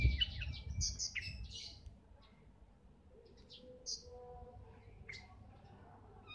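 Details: Oriental magpie-robin (kacer, bagong type) singing: a burst of varied whistled and chirpy phrases in the first two seconds, then sparse, fainter whistles and a clear note near five seconds over low rumbling background noise.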